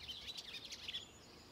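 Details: Barn swallow (Hirundo rustica) call, 29 April 2024: a quick burst of high, chattering twitters for about a second, then quiet against a soft outdoor hiss.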